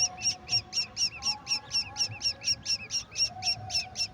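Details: Golden oriole feeding a mantis to its chicks; high, sharp, evenly spaced call notes repeat about four times per second throughout, with a faint low hum beneath.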